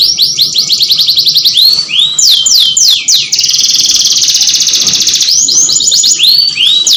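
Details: Canary mating song played to stimulate breeding: long fast trilled rolls of high rising notes, a steady buzzing tour in the middle, then more repeated upward-sweeping phrases, indoors with a faint low hum.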